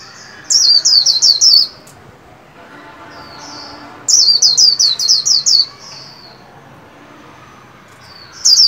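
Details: Caged white-eye in training, singing to welcome the 2021 new year: two bursts of five or six loud, high, rapid descending whistled notes about four seconds apart, with softer thin notes between.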